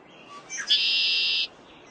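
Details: A male Red-winged Blackbird in spring display, defending breeding territory in the northeastern United States, gives a couple of quick introductory notes, then a long, harsh, buzzy trill held steady for about three-quarters of a second.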